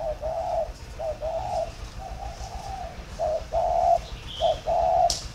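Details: Spotted dove from a bird farm in Ba Vì, Vietnam, giving a very warm, plain three-note coo in the thổ pha style. Low, mellow coos are delivered in short phrases, with a faint high chirp near the end.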